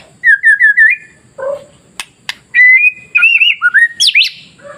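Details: Masteran song of a white-rumped shama, used to goad fearful shamas into singing: a string of four quick whistled notes, then a low note and sharp clicks. Long level whistles follow, with a high sweeping flourish at the end.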